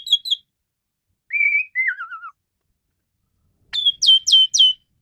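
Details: Asian pied starling delivering sparse whistled phrases: a short double note, then a smooth level whistle falling in steps, and after a pause three loud sharp rising notes.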